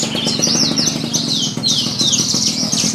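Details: Horsfield's bush lark (Mirafra javanica) singing at a songbird contest at the Purbalingga animal market: a fast, unbroken run of high, sweeping whistles and twittering phrases over a steady low engine-like hum.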